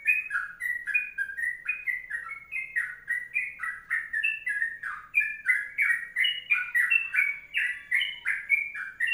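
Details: Sooty-headed bulbul pouring out its long 'kongslet' (ropelan panjang) song, a fast, uninterrupted string of mellow bubbling notes that climb and drop in lively alternation.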